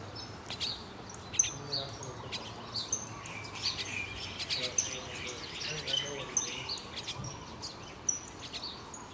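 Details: Several common waxbills (Estrilda astrild) calling in the morning at Kailua-Kona, Hawaii, on June 1, 2021: a steady scatter of thin, high chips and short twittering notes, with faint distant voices underneath.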